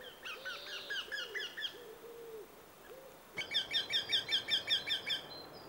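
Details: A Eurasian wryneck recorded in Sweden, luring/displaying, calls a run of about ten nasal, evenly spaced 'quee' notes, two to three a second; a lower hooting bird calls just before.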